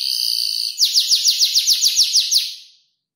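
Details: Five-month-old canary practising mimicked tutor-bird phrases; a steady high whistle followed by a fast rattle of about eleven descending notes that fades out.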